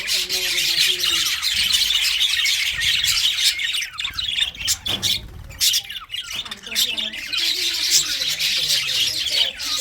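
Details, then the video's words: Budgerigars chatter in rapid scratchy chirps about every half second, the high warbling fading briefly midway before building up again. "English Budgies parrot 🦜 beautiful singing chirping sounds"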